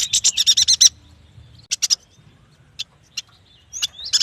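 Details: Yuhina, locally prenjak batu, in lively song. It opens with a rapid run of about eight bright high chirps, followed by a triple burst, single isolated ticks, and a final rising whistled phrase.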